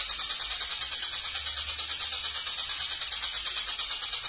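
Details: A long-tailed shrike in full song pours out a harsh, scratchy, high chatter, pulsing about three times a second without a break; nothing else stands out.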